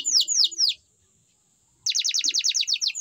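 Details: Canary song: a few quick falling whistled notes, a second of near silence, then a bright run of rapid repeated chips.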